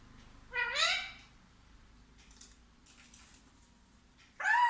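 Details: Parrot talking: one rising, meow-like call, faint soft sounds in the gap, then another loud harmonic call to close.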